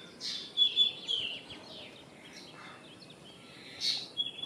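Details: Common myna giving a harsh burst followed by thin whistles and falling notes. A pause follows, then another rough note with a trailing whistle, over light background hiss.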